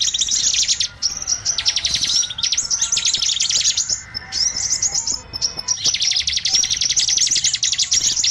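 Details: Lure recording for small birds: dense, high, rapid chirping and trilled twitters in quick bursts, almost continuous, with a brief lull near the fifth second.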